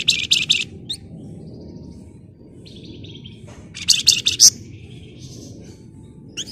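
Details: Flamboyan bird singing in a tight, rapid style meant as a lure: two bursts of shrill, tightly packed high chattering notes a few seconds apart, separated by thin whistles, over a soft low rumble.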